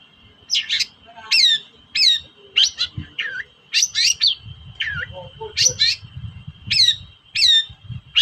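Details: Long-tailed shrike 'toet-toet' lure call, meant to rouse shrikes that will not sing: sharp downslurred notes in short paired clusters, repeated roughly every second, over a constant high whine and faint low background rumble.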